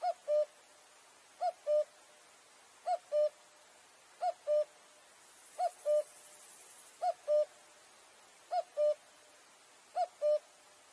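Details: Striped cuckoo calling: paired clear whistled notes, the second slightly lower than the first, repeated steadily about every 1.4 seconds, eight pairs in all over a faint background hiss.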